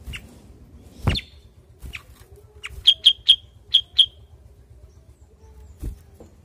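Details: Cucak kurincang, a bulbul also called kuniran or kutilang sutra, giving a burst of five crisp, evenly pitched chirps after a few scattered notes, with occasional low knocks and clatter nearby.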